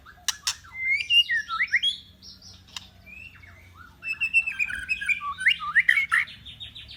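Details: White-rumped shama song for training other birds: a varied run of whistled, sliding and twittering phrases, with a steady low hum underneath.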